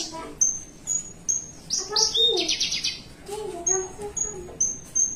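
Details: Caged Horsfield's bush lark, perched relaxed, sings a long varied run: thin high whistles about every half second, a burst of buzzy rasping notes, then lower warbled phrases; a faint voice may be underneath.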